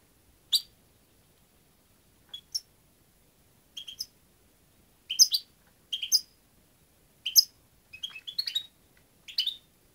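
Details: European goldfinch chirps scattered over ten seconds, starting sparse and becoming busier, with clipped metallic notes and tumbling clusters of three or four tinkling notes near the end.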